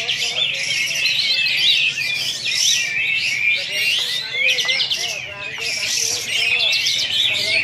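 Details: Champion Sooty-headed Bulbul at a bird-contest launching event in Singkawang, delivering besetan, a rapid non-stop stream of high, twittering, chattering phrases without pauses, with weaker lower notes and faint background noise.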